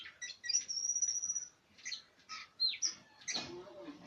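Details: Oriental magpie-robin singing loud, varied phrases: a long, steady, high whistle, then short rising and falling whistled notes and chirps separated by brief pauses, with a few harsher notes near the end.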